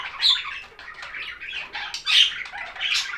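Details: Budgerigars chirping in a relaxing recording, a dense stream of overlapping scratchy chirps, warbles and short squawks, with louder bursts near the start and toward the end.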